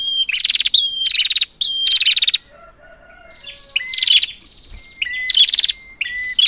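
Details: Prinia, a lure for prinias gone quiet: loud buzzy rattling bursts, a pause with faint lower warbling from another bird, then short level whistles alternating with further buzzes.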